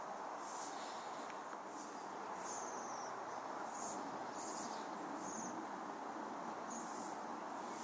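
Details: Waxwings visiting a tree to eat berries in December 2023 give high, thin, buzzy trills, each under half a second, scattered irregularly over a steady broadband background hiss.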